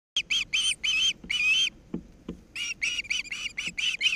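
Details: Ospreys at the nest in Charlo, Montana, on 10 August 2018: a loud run of sharp, piercing chirps in rapid bursts, a brief pause with soft knocks, then the chirping series resumes quickly.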